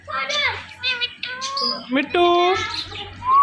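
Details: Pet talking parrot calling out in a string of harmonic, voice-like syllables with sliding pitch, some bursts quick and chattering, ending on a drawn-out rising squeaky note; soft background music underneath.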